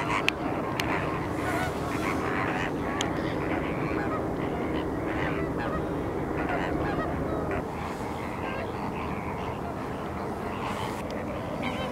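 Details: Flamingos at the salt lake in Larnaca, Cyprus: a dense chorus of nasal, goose-like honking calls from many birds, overlapping continuously with steady background rumble.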